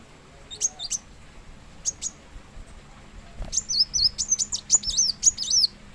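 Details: Plain sunbird singing: a few scattered high thin notes first, then a fast twittering burst of sharp, very high chirps over the final two and a half seconds.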